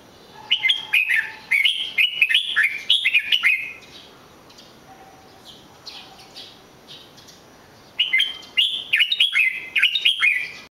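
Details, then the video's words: Two long phrases of red-whiskered bulbul song, each a quick series of clear, warbling whistled notes rising and falling, separated by a quiet stretch with faint soft notes. "chào mào hót cực hay"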